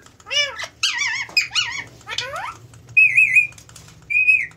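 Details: Talking pet parrot inside a room: wobbling speech-like phrases and squeaks, followed by two long, level, shrill whistled notes.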